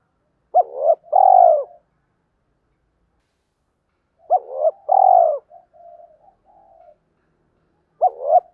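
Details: Spotted dove cooing as a lure for wild doves: two phrases of a quick double hoot and a long wavering coo, with low soft murmurs between, then a fresh hoot pair starting after a long pause.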